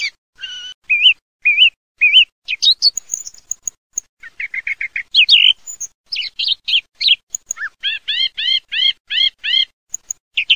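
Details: Song thrush singing clear, varied phrases in the 2–8k range, each motif repeated several times; a run of five or six identical rising notes closes the passage, with no other sounds.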